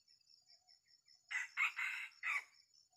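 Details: A red junglefowl rooster, used as a decoy to lure wild junglefowl in a small oil palm plantation in Sumatra, gives a quick, harsh four-syllable crow in just over a second, the last clipped short, over a steady high insect drone.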